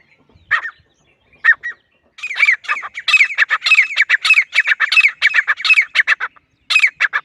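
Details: Teetar, the grey francolin: a few isolated squeaky notes, then a long, loud, steady string of harsh, ringing calls repeated in quick succession.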